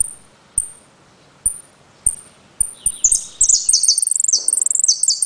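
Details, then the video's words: Caged saffron finch (jilguero) from Trenque Lauquen, Argentina, singing "El Correntino" style with repique, golpe and pitadas: sharp high whistled notes spaced about a second apart, then a fast run of bright chirps and trills; clicking knocks underneath. "JILGUERO AUDIO "EL CORRENTINO" ( repique, golpe y pitadas)"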